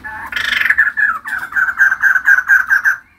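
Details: Female white-crested laughingthrush in energetic full voice, giving a harsh burst followed by a fast series of about ten loud, even, slightly descending chattering notes repeated several times per second.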